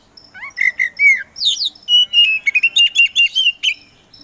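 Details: Oriental magpie-robin of the kacer poci type, a provoking contest singer, delivering a rapid whistled song: a rising note, fluty slurred whistles, a buzzy burst, then a fast run of evenly repeated chirps.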